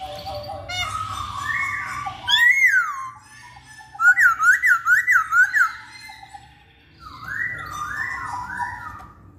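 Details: Lure recording of masked laughingthrush song for quiet males: loud, rolling whistled phrases, including a rapid zigzag of about seven undulating notes, separated by brief pauses.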